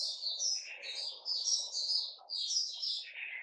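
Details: Continuous high, lilting warble of a kept Puteh Raja bulbul, recorded 8 May 2021. Sweet, slurred notes rise and fall without pause over a faint steady low hum.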